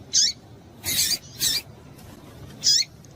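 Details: Female yellow-bellied seedeater calling, a call meant to stimulate males into singing: short, sharp, high chirps that slide downward, with two louder hissing, noisy bursts between them. Four sounds in about three seconds over a faint background hiss.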